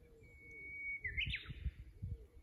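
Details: From a fixed camera at the Kusu tank road, Japan, on 24 April 2025, a Japanese bush warbler holds one long clear whistle for about a second, then snaps into a rising, rolling flourish, with low rumbling underneath.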